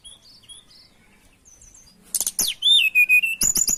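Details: Tledekan songbird in breeding condition, looking for a rival. Faint high whistles open, then a loud burst of sharp descending notes, a long sliding whistle, and quick repeated high chips at the end.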